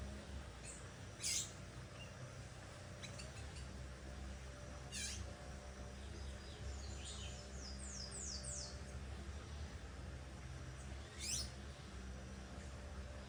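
A great kiskadee gives a few harsh, strident calls spaced several seconds apart, with softer chirps in between, over a steady low rumble of background noise.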